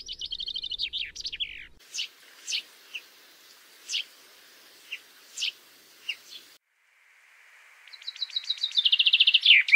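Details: A chaffinch song opens, followed by a string of single sharp high call notes spaced about half a second to a second apart, then a loud rising trill begins at the end.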